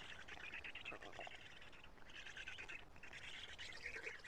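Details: Black stork storklets at a nest in Karula, 3 June 2017 at 11:35, calling as the adult male arrives and feeds them; their voices have changed. Hoarse, raspy chattering in uneven bursts, with a short pause near the middle.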